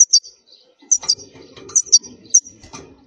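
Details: European goldfinch, wild khalwi type, strong song meant for training young birds: quick clusters of thin high doubled notes, four bursts in three seconds, above a soft low rustling background.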